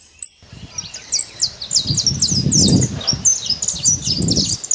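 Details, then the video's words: Saffron finch singing free in nature: a run of short high chirped and downslurred notes, loosely spaced, over low rumbling background noise. "Canário da terra livre na natureza"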